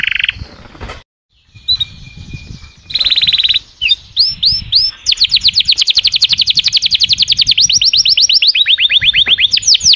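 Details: Singing canary delivering a long rolling trill of fast repeated downslurred notes, broken by a short pause, clear whistles and sliding high phrases, over faint low background noise.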